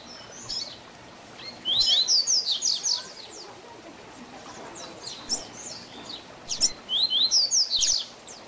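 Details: Double-collared seedeater delivering a 'tui tui zel zel' teaching song for young birds: two bursts of fast, high, piercing slurred notes separated by a quieter stretch of soft chirps, over a steady low background hiss.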